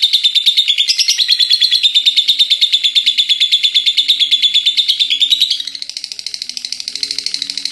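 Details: Lovebird kept as a pet, in ngekek chatter said to go on nonstop until morning: steady high buzzing pulses for over five seconds, then a softer, rougher stretch of the same rapid chatter.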